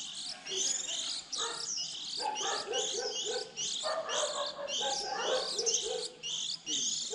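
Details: Young white-eyes early in the season, birds starting to leave the nest around April, recording used to lure them into traps: dense high, thin chirping twitters in quick overlapping bursts with brief pauses, several birds calling together.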